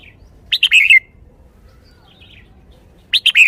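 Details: Caged red-whiskered bulbul delivering the 'shaking the bottle' song style: a crisp, bubbly phrase of quick whistled notes with a dropping end, then a second phrase starting after a pause in quiet surroundings.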